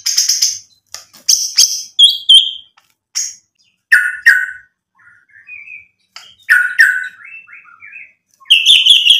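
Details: White-rumped shama singing, meant to provoke other birds to sing back: separated bursts of high piercing whistles and clicks, mid-pitched warbled phrases between silent gaps, closing with a loud high whistled note.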